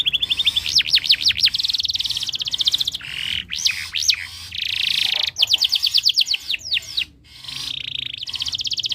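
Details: Breeding-condition canary song meant to prompt other birds to sing, with rapid trills of looping whistled notes, dense buzzy rolls and bright repeated chips, phrases changing every second or two without pause.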